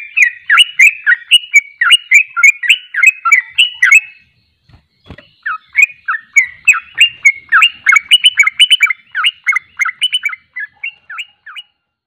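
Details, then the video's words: Ropelan-style song of a Sooty-headed bulbul (trucuk): two long runs of quick, chattering whistled notes, split by a short gap with a single knock, the second run fading toward the end. "Ropelan burung trucuk paling Juoss..!!!"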